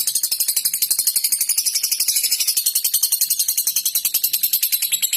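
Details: Long ngekek chatter by a lovebird, played to summon and provoke opponents: an extremely fast, even, high, buzzing rattle sustained throughout without pause.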